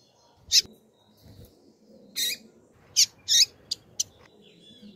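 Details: A female double-collared seedeater of the turbina line calls with short, sharp, high chips. They come singly and in close pairs across several seconds over a quiet low background hum.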